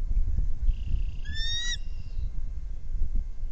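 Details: Bald eagle at a nest shared by three adults, caught on a nest camera, giving one brief burst of high, piercing, stepped chirps over a steady low rumble of wind.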